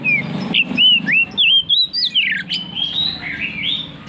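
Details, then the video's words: Oriental magpie-robin in full, insistent song: a string of looping whistled notes, some rising sharply, others falling, followed by softer warbled phrases. "KACER NGEPLONG NGOTOT"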